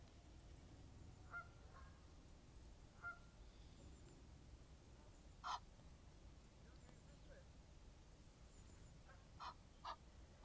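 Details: Egyptian geese, a friendly group outdoors with wing-stretching displays and another goose landing nearby; short nasal honks spaced a few seconds apart, one louder, ending in a quick pair, over steady low rumbling background noise.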